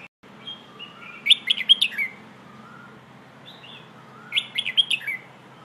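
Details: Red-whiskered bulbul performing Pleng Ho song, used as a lesson for young birds: soft gliding whistles lead into two lively clusters of rich, rapid whistled notes spaced about three seconds apart.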